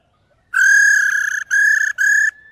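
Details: Female white-cheeked laughingthrush giving its 'ro' call, used to stir male birds to sing: three loud, steady, clear whistled notes, the first longest, separated by short breaks, with a faint short whistle at the end.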